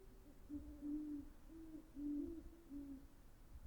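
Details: Great horned owl hooting: a series of five low, muffled hoots of uneven length, the second and fourth longest, spread over about three seconds against a steady low rumble.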